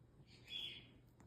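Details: A pet cockatiel singing for its owner gives a single bright, whistled note that swells and fades.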